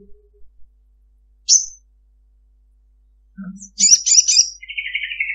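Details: Female Ruby-cheeked sunbird calling a male, a long chattering lure call: sharp high chirps, then a quick burst of bright, jumbled high notes that ends in a lower, buzzy, fading trill.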